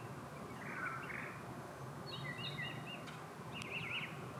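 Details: Mockingbird song drifting over a canal in Florida where manatees are eating mangrove leaves and other birds sing; brief whistled and buzzy high notes, a few quick rising slurs, a sharp click, all set against steady low background noise.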